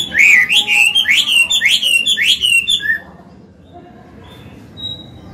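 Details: Mature hwamei singing in its forest voice, a recording for caged-bird training. A fast series of about five loud rising-then-falling whistles fills the first three seconds. The song then stops, leaving a faint hum and one thin high note.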